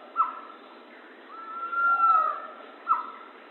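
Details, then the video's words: Pavonine quetzal song: clear, mid-pitched whistles, a short note, a long drawn-out whistle that swells and fades, then another short note, over faint background hiss. "Canto do pássaro quetzal-pavão"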